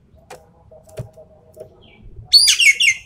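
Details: Javan pied starling in 'tembakan' shooting song for testing champion birds: after quiet clicks and a faint hum, a loud run of rapid, scratchy, rasping notes ends the recording.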